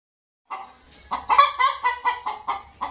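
A hen clucks in a quick series of nasal, mid-pitched notes, about three or four a second, with a faint low hum behind.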